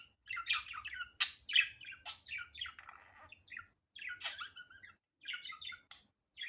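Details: Pet budgerigar recorded naturally without edits, chattering rapidly in squeaky, buzzy chirps and rasping notes, strung into irregular runs with brief breaks.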